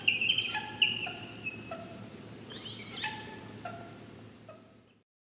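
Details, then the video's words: Barred owl giving distraction squeals and a honk during a distraction display: a thin high squeal, then spaced tonal hoots and a wavering, descending squeal, fading out. "Owl, Barred Distraction squeals and honk"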